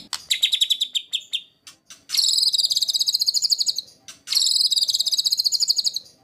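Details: White-rumped shama master song in the 'tembakan kasar' (rough bursts) style, used to train competition birds: a short stuttering phrase, then two long, loud, high buzzy trills, each about two seconds long, with brief clicks between.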